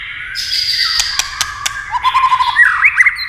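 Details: White-rumped shama stimulated to sing by tail-tapping: after a few sharp clicks over a steady hiss, it gives a low rolling trill, then bright upslurred whistles and twisting notes.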